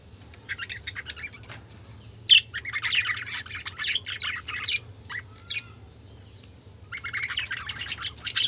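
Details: Several colourful budgerigars kept as pets chattering together: dense bursts of buzzy, scratchy warbles and chirps, loudest in two long stretches with a brief quieter gap between, over a low steady hum.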